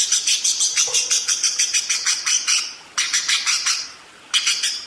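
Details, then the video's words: Budgerigar in lively, steady ngerol song: a long run of quick, scratchy, high-pitched chirps, then two shorter bursts separated by brief gaps. "SUARA BURUNG PARKIT ‼️ NGEROL DERES GACOR DOR"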